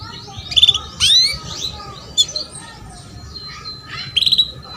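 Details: Female canary calling to coax a young male into singing: clipped chirps, a bright upward slur, scattered twitters and a closing short trill, over faint background hum.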